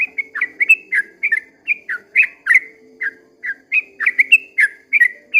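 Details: Sooty-headed bulbul singing a long 'ropel' style song at dawn: quick runs of short whistled, slurred notes, some rising and some dropping, delivered in uneven bursts over a faint low steady hum.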